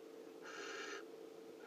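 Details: A Barn Owl heard on a wildlife webcam gives one harsh, hissing screech lasting about half a second, over a steady low electrical hum.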